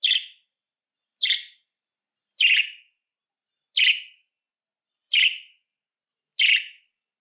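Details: Repeated budgerigar contact chirps meant to summon a lost bird home: six short, grating calls spaced a little over a second apart, clean and without other sounds.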